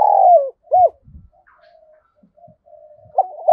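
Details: Decoy spotted dove calling wild doves with thúc and gáy cooing: a long falling coo, a short arched note, faint low murmurs and thumps, then another coo starting at the end.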